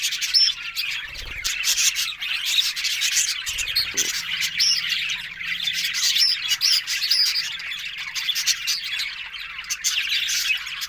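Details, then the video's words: Several budgerigars on October 1 keep up a long stream of twittering warbles and chirps, with scattered whistled notes and brief squawks and a faint low hum underneath. "Beautiful Budgerigars Talking"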